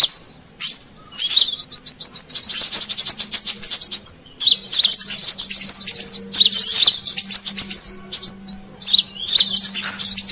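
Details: Brown-throated sunbird used as a lure for wild birds, giving quick, high chipping notes that build into dense twittering runs, with short gaps and a soft low hum behind.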